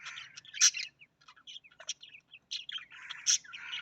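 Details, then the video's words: Australian parrot calling softly: scattered short chirps and twittering notes, some sharp and high, in an uneven chattering stream with brief gaps. "Australian parrot voice"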